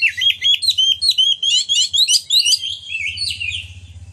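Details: Oriental magpie-robin, a captive songbird in full song, used to provoke other magpie-robins to sing and spread their tails: rapid run of high whistled and chirping notes, many per second, over a faint low hum.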